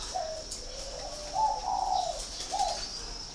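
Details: Northern Vietnamese spotted dove kept at a Ba Vì, Hanoi bird farm: a brief low coo, then a longer swelling, wavering note and a short closing coo, with a constant thin high whine behind.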